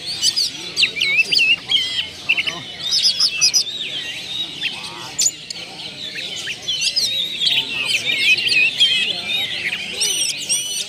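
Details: Oriental magpie-robin singing in a recording meant to lure other birds into song: long, busy stream of varied whistles, warbles and sharp high notes, with louder bursts at the start and end.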